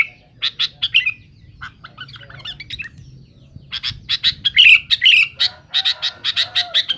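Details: Sooty-headed bulbul, a male in loud rival-challenging song: scattered harsh squawks, a quieter twittering middle passage, then a dense run of rapid scratchy notes with occasional clear whistled accents.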